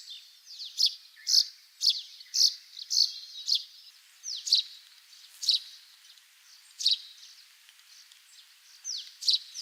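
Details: Russet sparrow song from a wild bird in Hokkaido, Japan: a long string of bright, high, clipped chirps, quick at first, then spacing out to roughly one per second, over a steady faint hiss.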